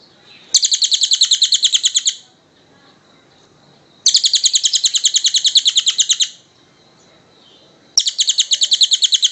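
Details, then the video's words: Recording of a tengek cililin kingfisher meant to train other birds: three separate bouts of rapid, high, metallic chattering, each lasting about one and a half to two seconds, with quiet gaps between. "Suara Burung tengek cililin panjang"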